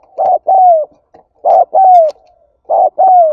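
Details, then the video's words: Calling spotted dove meant to provoke other doves, giving three loud phrases, each a brief low coo then a longer falling coo, spaced about one and a half seconds apart. "Tiếng Chim Cu Gáy Thúc Gáy Gọi"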